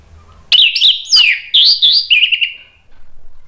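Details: Orange-headed thrush in loud ngeplong style, used as a lure to get a silent caged bird to sing back: after a half-second pause, a rush of sweet whistled phrases around the high middle range, with sharp buzzy flicks and a slurred fading tail.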